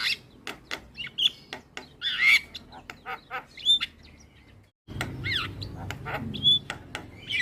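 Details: Jalak kebo (Javan myna) training recording to coax a silent bird into song: dry clicks and snapping notes mixed with short, clear whistles and a buzzy squeal, broken by a brief gap of silence.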